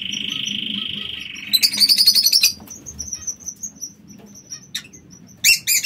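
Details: King quail in an aviary: a steady, buzzy high trill for over a second. A loud rapid chatter of chirps follows, then thin level whistles and a final pair of sharp calls.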